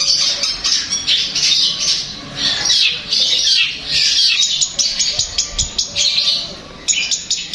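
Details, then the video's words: Long-tailed shrike singing, a recording meant to prompt another shrike to reply and sing; harsh, scratchy chatter in rolling bursts, swelling and fading every second or so, with a short gap near the end. "Berikan suara ini untuk cendet anda pasti akan nyaut dan gacor"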